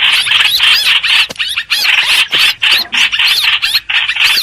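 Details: Streak-eared bulbul played as a trapping lure: loud, scratchy chattering with upslurred squeaky notes, delivered in tight bursts with short pauses.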